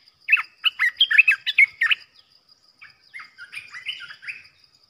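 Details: Decoy Olive-winged Bulbul, a caged bird used for trapping, gives a fast run of loud, bubbling, slurred notes for about two seconds. Quieter, drawn-out warbles follow. A thin high tone hums in the background.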